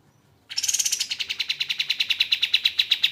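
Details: Crimson-breasted flowerpecker, recorded as a master voice for songbirds: after a short silence, a brisk run of sharp, high ticking notes begins higher and settles lower, about eight notes per second.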